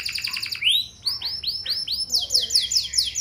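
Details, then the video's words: Lure song of a canary, used to draw other canaries into singing back: a fast trill gives way to several slower, arching downslurred whistles, then a quick series of bright descending notes. "Burung Kenari Lain Bakal Langsung Nyaut! Pancingan Burung Kenari Lagu Mewah Cengkok Joss"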